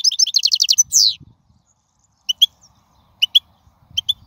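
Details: European goldfinch from the wild, song meant for teaching young birds: a fast burst of repeated high notes ending in a buzzy slur, followed by spaced pairs of short chips.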